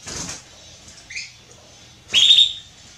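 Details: Female Belgian canary calling to be mated, a short soft chirp followed by one loud rising whistled call that flattens out at a high pitch.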